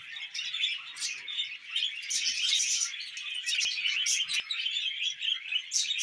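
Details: Budgies kept as pets chatter steadily with rapid squeaky chirps and grating warbles. A few sharp clicks punctuate the stream near the fourth second.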